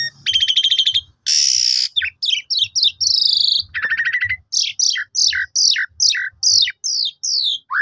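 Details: Asian pied starling lure song to stimulate rival starlings: buzzy trilled phrases and a harsh rasp, then a quick series of sharp, descending chirps repeated about twice a second, with faint low thumps.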